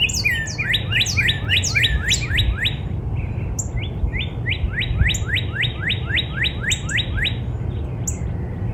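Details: Northern cardinal singing in a backyard in spring: a quick run of loud, rising slurred whistles, about four per second, followed by a softer series of similar upswept notes with brief high chips above, over low steady background rumble.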